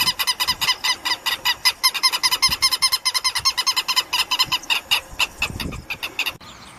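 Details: Southern lapwings filmed by webcam calling in a rapid, scratchy, repeated chatter of sharp harsh notes, about two to three per second, before stopping abruptly near the end.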